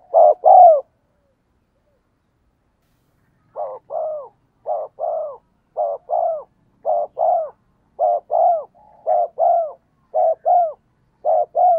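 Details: Strong-voiced spotted dove cooing as a decoy to draw wild doves into answering: a loud double coo, a silence, then a steady series of paired coos, each pair a clipped note and a drawn, falling one.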